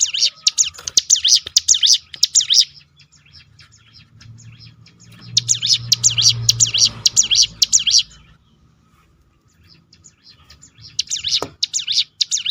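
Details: Rolling 'tembakan' of the hill prinia (ciblek gunung), used to provoke other birds into song: three separate bursts of rapid, high, V-shaped whistled notes, with low rumbling noise between them.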